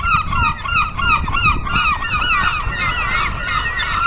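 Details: Gulls on the open sea give a continuous chorus of overlapping, wailing, nasal calls that bend up and down in pitch, with a deep constant rumble underneath.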